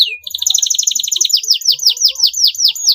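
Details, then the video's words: Canary song serving as a lure for juvenile learners: a fast even trill followed by a slower series of loud downslurred chirps. "KENARI GACOR DURASI PANJANG, PANCINGAN JITU RANGSANGAN DAHSYAT UNTUK PAUD BELAJAR BUNYI"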